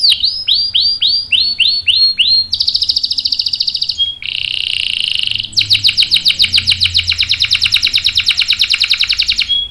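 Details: Vigorous canary song used to coax other canaries into singing. Fast looping whistled syllables give way to dense high trills and a flat buzzing roll, then a long rapid trill, with brief pauses between tours.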